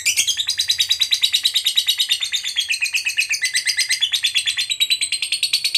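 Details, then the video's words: High, piercing lovebird trill, the long 'ngekek' of a fighter bird used to provoke others to sing back: rapid, even chattering pulses that waver slightly in pitch, continuing unbroken for about six seconds with a soft low hum beneath. "Lovebird FIGHTER Ngekek Panjang FULL EMOSI_Pancing Lovebird KOYO AUTO Nyaut Gacor RAJIN BUNYI"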